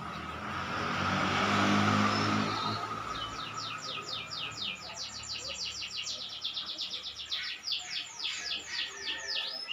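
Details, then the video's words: Canary in full, vigorous song. A hissing, breathy noise fills the first seconds, then a long, rapid trill of high repeated notes speeds up and ends in downward-sweeping phrases. "Kenari Gacor"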